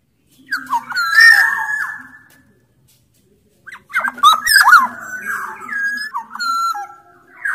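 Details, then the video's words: Big-bodied Sumbawa black-naped oriole in vigorous song used to get lazy orioles singing: whistled slurs and a harsh phrase, a pause of over a second, then a long run of rasps and fluty notes. "Burung kepodang sumbawa gacor"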